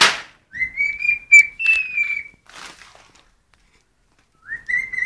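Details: A cockatiel whistles clear, sustained notes that rise and hold steady, with a brief pause before the phrase resumes, indoors; it sings when hungry.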